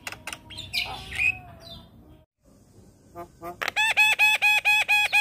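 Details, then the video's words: Young Asian pied starling singing tirelessly all day: a jumble of harsh notes and whistles, then a steady run of loud, evenly spaced buzzy notes with a whistled tone on top. "Jalak Kebo Super Gacor Rajin Ngoceh Seharian"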